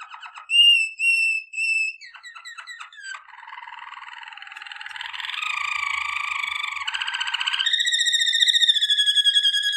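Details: Waterslager canary, the Malinois song breed, singing for training. A few bright whistled notes lead into a string of varied tours: quick clicks, a long low warbling roll, then higher ringing trills that grow louder.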